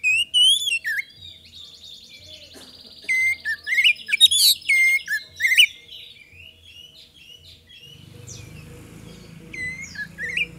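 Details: Kacer, the magpie-robin, singing as a lure to draw responses from other birds: sharp whistled notes and a buzzy trill in the first half, soft scattered notes after, with a low hum late in the recording.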